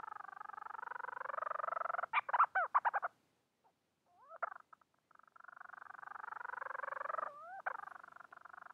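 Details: Calling for a mate, a Bermuda petrel gives a rattling pulsed moan, then a cluster of clipped staccato notes, a pause with soft upslurred calls, and another long pulsed moan ending in a rising slur. Nothing else is heard.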